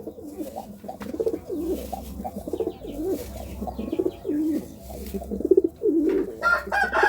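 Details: A pigeon courting with a run of wavering, throaty coos that rise and fall in low pitch, followed by a brief higher rasping burst near the end.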